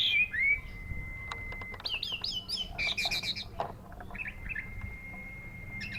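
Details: Orange-headed thrush at the Matroji ring: a long steady whistle, then a series of quick looping notes, a burst of rapid chatter and another drawn-out level whistle.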